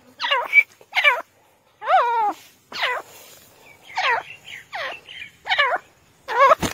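A grey francolin gives loud, harsh, ringing notes with strong overtones, about eight in under seven seconds, each sharply rising then falling.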